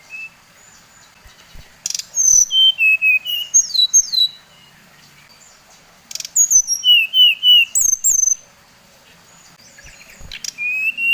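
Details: Lure song of a Bali-type brown-chested jungle flycatcher, meant to agitate rival birds: two bursts of clear whistled notes, each a cascade starting high and stepping lower, separated by quiet gaps, with a final rising whistle.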